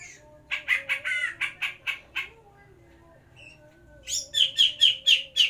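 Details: Captive greater green leafbird during the pairing process for breeding. A run of about nine chirps, a short silence, then seven faster, brighter, higher notes in a quick series, with a faint low drone behind.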